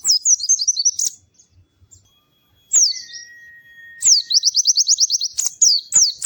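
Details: White-eye, called pleci, singing in bursts meant to spur other white-eyes to sing: quick high twittering, a gap of near silence, a thin steady whistle, then a fast high trill with sharp clicks.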